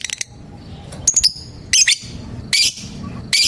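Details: Lovebird kept as a cage and contest bird, calling a rival: short harsh squawks and shrill screeches in irregular bursts, with brief gaps of quiet between them.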